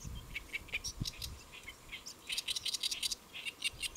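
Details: Great reed warbler perched on a lotus leaf at Saemangeum, Gimje, Jeollabuk-do, South Korea, recorded around midday on 1 July 2024; harsh chattering notes in quick uneven bursts, some grating and buzzy, with faint low rumbling beneath.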